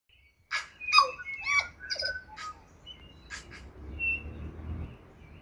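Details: Tui feeding on non-native banksia and flame tree flowers on Owairaka in winter, singing a varied phrase of short clicks, rich notes and brief whistles, busiest in the first two seconds, then scattered softer notes over low rumble.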